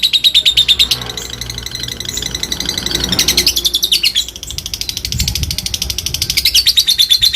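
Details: Lovebird in fighter style chattering to provoke rivals, a long ngekek of fast high buzzy pulses, briefly dipping and wavering mid-way, then picking up again as a steady rapid rattle.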